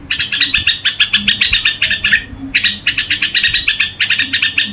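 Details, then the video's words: Gù singing of a red-whiskered bulbul: rhythmic bursts of bright chirps follow one another steadily, broken by one short gap mid-way, with a low background murmur. "Tiếng Chim Chào Mào Gù Quá Hay"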